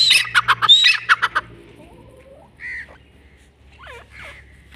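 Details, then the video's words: Grey francolin giving a quick burst of loud, harsh, pulsing notes in the first second and a half, then falling silent. Only faint, scattered sounds follow. "grey francolin voice"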